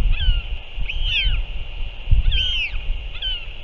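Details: Northern royal albatross, recorded 6 April 2024 as a parent returns and feeds its chick: thin whistled calls that arch up and down, in short bursts of two or three, over steady low wind rumble and a constant high hiss.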